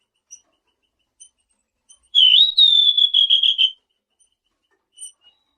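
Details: Selendang biru singing, a lure meant to draw replies from surrounding birds: one sustained high whistle, rising at first, then breaking into a fast warbling trill, with faint soft chips before and after.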